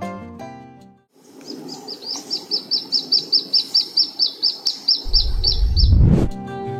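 A Brown-throated Sunbird sings a steady run of high, thin, upflicked notes, about four a second, over soft background music and a low rumble near the end.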